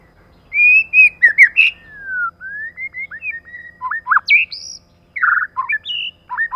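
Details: Lure female white-rumped shama calling in rapid bursts: sliding whistles, a long drawn descending note, then varied clipped whistles and harsh squawky notes.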